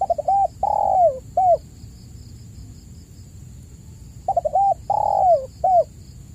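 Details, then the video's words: Spotted dove coo used as a lure for caged birds that have stopped calling: two phrases about four seconds apart, each a rapid stutter of short notes, a long drawn-out falling coo, then one short arched final note. "pancingan burung tekukur gacor"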